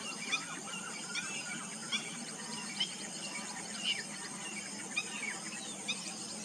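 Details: Black-breasted weaver calling with scattered, thin, high chirps and brief sliding notes, spaced roughly a second apart, against a constant hiss and low hum.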